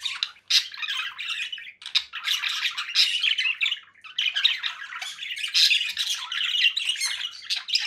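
Conure giving harsh, raspy squawks and chatter, dense and continuous with brief pauses, pitched high and noisy throughout.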